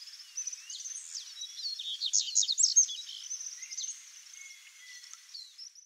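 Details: A pair of Double-collared Seedeaters (Sporophila caerulescens) give high, rapid twittering chirps and short buzzy notes, several a second, swelling loudest midway before fading back.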